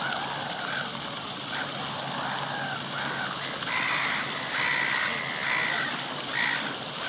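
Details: A pair of black-headed gulls courting on the edge of a fountain in the Italian Garden, moaning and bowing to each other. Several drawn-out, nasal, harmonic moans repeat over the steady rush of splashing fountain water.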